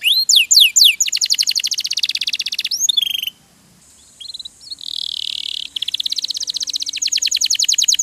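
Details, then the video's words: Canary song used as training song for other cage birds: long rapid trills of fast repeated high notes, some swooping downward strokes, rolling buzzy passages, a brief pause near the middle, then trilling resumes. "MASTERAN KENARI RAJIN BUNYI"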